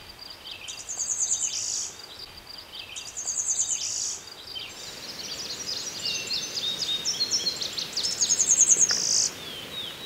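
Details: Blue-winged Warbler singing in thickets and meadows by the Conemaugh River, Westmoreland County, Pennsylvania: a high, insect-like thin buzz then a lower rasp, repeated three times, with other birds twittering softly in between.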